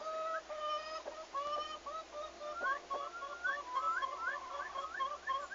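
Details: Turkeys newly brought to a farm, arrival day 11 August 2015, calling busily: steady level whistled notes repeated in pairs, giving way to a rapid chorus of rising upslurred peeps from several birds.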